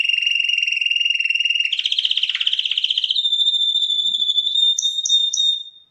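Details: Song of a champion canary, 2021: a fast pulsing trill steps up into a coarser, buzzier roll, then flattens into a pure sustained whistle punctuated by three quick descending flicks before it fades.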